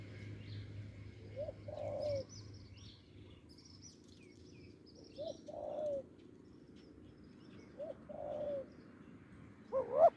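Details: Wild spotted dove with a deep voice, heard during branch decoy luring: three quiet coo phrases, short rise then longer fall, spaced several seconds apart, while small birds chirp thinly higher up.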